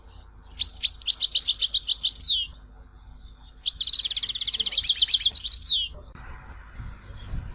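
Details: European goldfinch from Tizi Ouzou, Algeria, singing two long rapid trills of repeated high, slightly buzzy notes, each lasting about two seconds and separated by a short pause.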